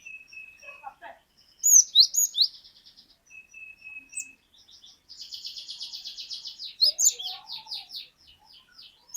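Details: Cinereous tit (glatik batu) singing in lively gacor style: high sharp rising whistles and chirps, then a long fast buzzy rattling trill, more rising whistles and another buzzy trill; faint lower twitters, otherwise quiet.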